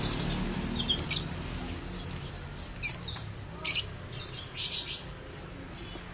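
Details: Caged ombyokan lovebird producing its ngekek trill, a string of thin, piercing chirps that build into quick repeated bursts during the second half, over faint background noise.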